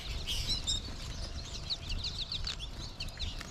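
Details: American goldfinch flock calling in the trees in March: many short, high, sweet chirps overlapping in a continuous chatter, with a denser series of quick notes in the second half over low rumbling background noise.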